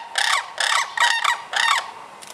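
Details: Loud, close sandhill cranes in Michigan, spring to early summer. Four strong bursts of rolling, trumpeting rattle follow one another about every half second, rich and harsh in tone. A softer fifth burst trails off at the end.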